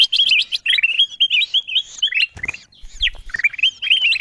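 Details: Ruby-throated bulbul (kutilang emas) lure call used to draw wild birds down: bright whistled chirps, rising and falling, in quick clustered phrases, with a short gap of softer notes and low thumps midway.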